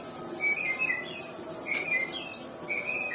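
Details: Nias white-rumped shama, said to be a lazy singer, giving high clear whistled notes at varied pitches, some sliding down and some held briefly, in a quick uneven sequence.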